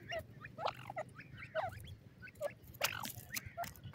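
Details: Young francolins (teetar) being fed give a run of quick, high, slurred peeps, several each second, mixed with sharp tapping clicks and a low background hum.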